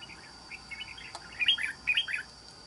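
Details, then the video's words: Caged red-whiskered bulbul, a trap bird described as having a fine island-forest voice, delivers a lively run of bubbling, whistled notes rising to a loud sharp flourish, backed by steady insect whine. "Bẫy Chào Mào. Mau Mỏ . Bung Xoè.Gốc Mào Cao Dày . Giọng Rừng Đảo Tốt"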